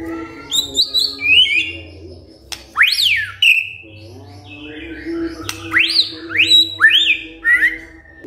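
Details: White-rumped shama reacting to a lure recording with varied song: high sweeping upslurred whistles and downward slides, separated by quieter gaps, over a soft low hum.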